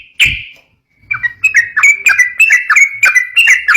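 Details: A single loud chirp, then a lively run of clear, bouncing whistled notes repeated several times a second: yellow-vented bulbul song for provoking young birds.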